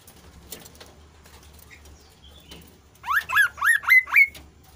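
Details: Kasu-kasu bird in full, lively song, used to coax reluctant kasu-kasu birds into singing: after near silence, five loud whistled upward-sweeping notes follow quickly, about four per second, each with a sharp rising start.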